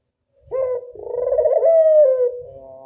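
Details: Local Barbary dove giving a classic 'angungan' coo: a short opening note, a brief pause, then a long, rolling, slightly pulsed hum that holds steady and eases downward at the end. The background is quiet.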